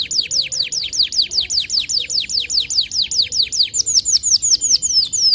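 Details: White canary in a master recording for songbird training, repeating a clear, loud downward-sweeping whistled note about three times a second throughout, evenly spaced.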